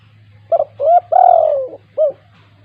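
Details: Vigorous 'kuk 2' spotted dove used to lure quiet doves into calling: a brisk double note, a rising coo, a long drawn coo drifting downward and a crisp last coo, over a steady low hum.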